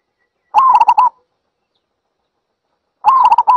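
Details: Zebra dove giving two bursts of rapid, staccato cooing notes, each burst lasting about half a second and spaced roughly two and a half seconds apart, with silence between and no other sounds.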